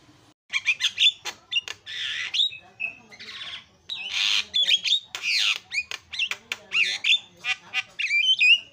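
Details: Singing Javan myna, a lure recording meant to restart a myna gone quiet: rasping squawks mixed with hoarse broad screeches and bent whistled notes, delivered in an uneven, almost continuous stream.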